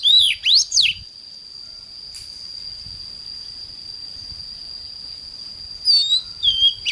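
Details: Oriental magpie-robin singing in the morning, with a short burst of swooping whistles at the start, a long quiet stretch, then a few more whistled notes near the end; a constant high tone persists.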